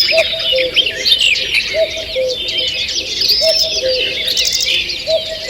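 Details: Morning birdsong in a forest, recorded 2 June 2023: a dense chorus of high chirps, trills and whistles overlapping, with a low two-note hoot repeating about every 1.6 seconds beneath.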